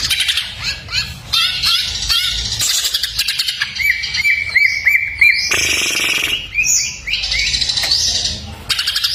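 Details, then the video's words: Full fill-in masteran of greater green leafbird: quick varied chirps and rattles open, then a run of short hooked whistles repeated about twice a second, followed by harsh buzzy trills and rising slurs. "masteran cak ijo full isian"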